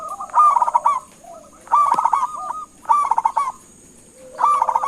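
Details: Zebra dove of local stock, calling to make other birds answer: four rolling bursts of rapid staccato coos, roughly one every 1.3 seconds, above a steady high electronic tone.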